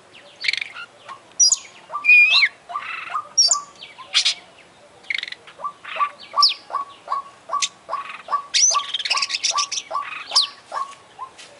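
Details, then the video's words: Oriental magpie-robin, an international champion kacer, delivering imitation-filled song: a short whistled phrase, buzzy high notes and regular mid-pitch chips pulsing steadily, with scattered sharp upward squeaks. "Full Isian Juara Internasional Burung KACER Gacor"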